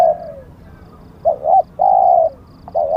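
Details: Spotted dove decoy giving a falling coo, a pause, then a short double note followed by a long level coo and the start of another, all low and hollow.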